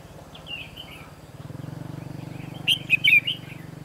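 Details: Red-whiskered bulbul at a trapping site in October 2016, with a soft warbled phrase followed by a bright cluster of rapid, sharp whistled notes, and a pulsing low mechanical hum underneath.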